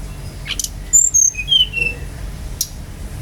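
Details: Brown-chested jungle flycatcher singing to draw other birds into song: a clear run of about five pure whistled notes stepping downward from very high to mid pitch over one second, with a faint click before and after.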